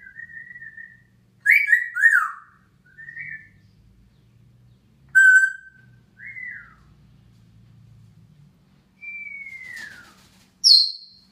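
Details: June 2016 morning, a grey parrot atop its cage gives a varied run of whistles: short rising and falling notes, a steady tone, a long downward-sliding whistle and a sharp high squeak at the end.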